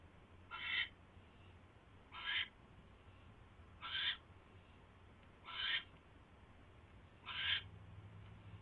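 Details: Owl on a live nest camera, recorded at night on January 28, 2016 around 10:21 PM after catching a mouse; harsh raspy screech calls repeated five times, roughly every 1.7 seconds, over a low steady hum.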